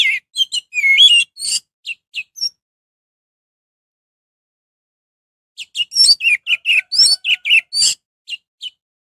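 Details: Orange-headed thrush singing vigorously, played to excite other orange-headed thrushes into joining in; rapid, varied phrases of whistled slurs, sharp chips and squeaky notes in two bursts with a pause of about three seconds between them.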